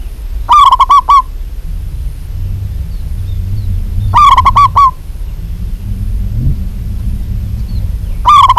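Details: Female zebra dove, local type, calling for a male: three loud bursts of quick, rolling coos, each under a second, spaced about three and a half seconds apart over a low background rumble.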